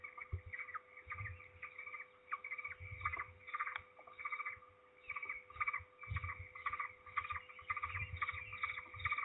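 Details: Peregrine falcon loudly returning to its nest at Trzebież on 16 May 2019 while another bird flees: bursts of grating, quickly repeated calls in rhythmic runs, broken by short pauses, over low thumping noise and a steady electrical hum.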